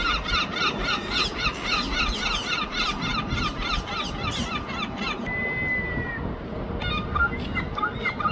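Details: Herring gulls in London give rapid, repeated yelping squeals, about four a second, then pause before a few more cries over a steady background rumble.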